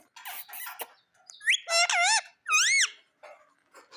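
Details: Pet parrot in a happy mood, giving a few soft chattering sounds, then two drawn-out wavering whistled calls that rise and fall, recorded indoors with quiet surroundings.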